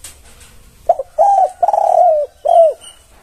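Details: A spotted dove gives a master-call song meant to draw answers from other doves: a short low note, then three mellow, hollow coos, the middle one drawn out and slightly trembling. Faint hiss lies behind.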